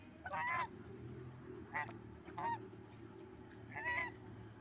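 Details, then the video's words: Angry geese give four loud, nasal honks, the first and last longer, spaced about a second apart, over a steady low rumble. "angry geese"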